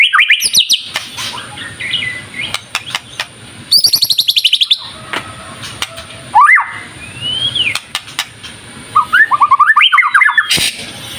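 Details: White-rumped shama 'gacor' lure song: scattered whistled phrases, a high rattling trill, a long rising upslur and a final quick burst of varied notes, with sharp clicks between them.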